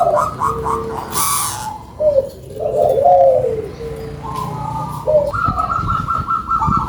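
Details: Local zebra dove with a loud voice, singing: short stacked coo notes at the start, a soft wavering trill, then rising staccato coos; a brief hiss interrupts early.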